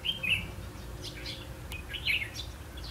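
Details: Red-whiskered bulbul at a trapping setup, 8 October 2016: two quick, loud, warbled whistle phrases about two seconds apart with fainter chirps between, over low rumbling background noise.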